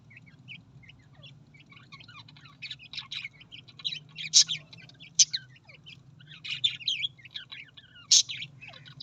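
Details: Australian parrot producing soft, continuous twittering with buzzy rasping notes and a few sharp, loud high squeaks spaced several seconds apart, against a steady low hum.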